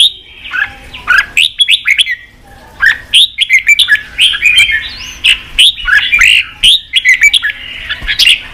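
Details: Red-whiskered bulbul song used for fight stimulation and voice training; repeated spirited phrases of slurred whistles and sharp ticks, each burst separated by short silences.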